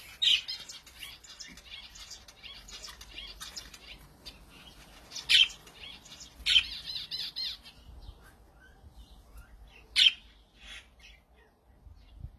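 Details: A male budgerigar (Melopsittacus undulatus) sitting outdoors in an olive tree warbles a busy, scratchy chatter broken by a few sharp squawks.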